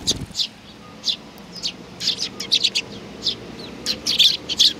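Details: Young hand-tame sparrows chirping: short, high, sharp notes in irregular bursts, some doubled or tripled, with a brief low knock at the start.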